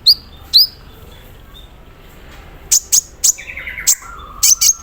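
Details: Caged sunbird set out in the morning dew, singing with mimicked fill-in notes said to copy an embroidery machine: sharp, very high descending chirps in quick bursts, plus a short buzzy, lower rattling phrase near the end, over a quiet background.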